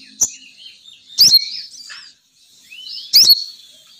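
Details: Female sogon bird luring call, said to draw males down: two loud bursts of sharp rising chirps about two seconds apart, with softer twitters between.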